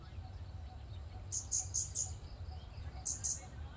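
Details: Scarlet-backed flowerpecker in a park: four evenly spaced sharp, very high tick notes, a pause, then two more, against constant low background noise.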